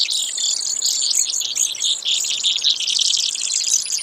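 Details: Brewer's sparrow delivering a sustained, high, twittering trill of fast pulsed notes with small pitch jumps, steady throughout four seconds.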